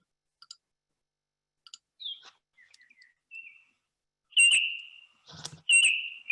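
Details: Male Baltimore Oriole song: a few soft clicks, then rich, flute-like whistled notes, short and slurred, growing louder toward the end, with a brief rustle near the close.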